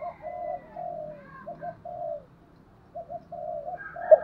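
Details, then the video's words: Lure spotted dove cooing in the morning to attract a flock, heard more distantly: a series of muffled, evenly pitched coos with a low background rumble throughout. "chim cu mồi gáy gọi buổi sáng, tiếng chim cu gáy kích bổi, chim cu mồi gáy gọi bầy"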